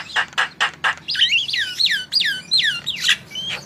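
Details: Javan myna (jalak kebo) singing to prompt other birds: four harsh rasping notes, then a run of quick downward-slurred whistles repeated about five times, over a low hum.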